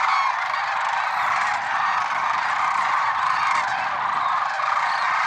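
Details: Dense early morning chorus of lesser sandhill cranes at Merced National Wildlife Refuge on February 6, 2023; countless overlapping trumpeting calls merge into a steady roar with occasional louder individual notes.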